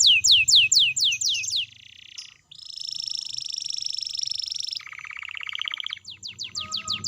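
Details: Gacor canary singing as a lure for canaries that have stopped singing: fast falling notes, then sustained buzzy rolls at shifting pitches, a lower rattling trill, and a final burst of sharp chips.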